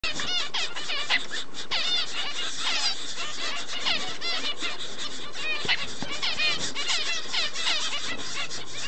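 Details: Double-barred finches raising chicks, recorded 4 June 2011: a dense, continuous chatter of squeaky, rapidly upswept and looping call notes, many overlapping, with brief clicks and rustles beneath.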